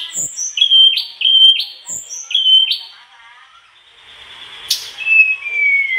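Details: Mangrove blue flycatcher in spirited song showing its learned phrases: a run of four short rising whistles repeated about every half second, then quieter falling whistled notes after a brief lull.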